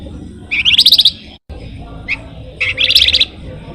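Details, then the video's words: Flamboyan singing in the energetic gacor style used to lure songbirds: two bursts of fast, high, stuttering chirps about half a second long, separated by a brief gap and a single short note, over low background hum. "flamboyan gacor paling rajin ngerol ngebren sangat ampuh buat pancingan burung kicau"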